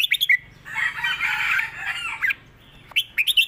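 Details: Red-whiskered bulbul in a cage, southern Thai song style for teaching birds: a few quick whistled notes, then a harsh, noisy chattering burst lasting over a second, followed by more slurred whistles.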